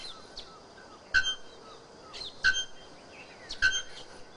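Bare-throated bellbird giving three loud, ringing, metallic strikes like a hammer on an anvil, about every 1.3 seconds, with faint chirps from other birds behind.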